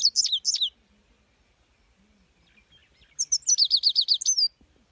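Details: Singing European goldfinch: two quick tinkling bursts, a pause, then a lively chain of high chirps and repeated downslurred notes ending in a thin rising whistle.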